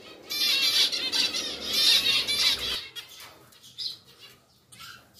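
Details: Pied zebra finch pair in a new, bigger cage give a dense run of loud nasal, buzzy trumpet-like calls for about two and a half seconds, then a few softer scattered notes.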